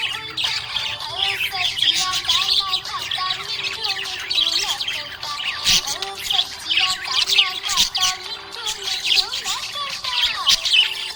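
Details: Budgerigar chirping happily, with a continuous chatter of quick, high twittering notes and short squawks, mixed with a song playing throughout at similar loudness.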